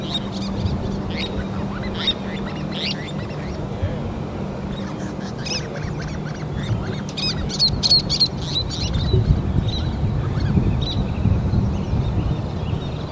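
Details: Least tern adults feeding young: scattered thin high chirps that thicken into a busy cluster of rapid sharp calls partway through, with constant low rumble and hum beneath.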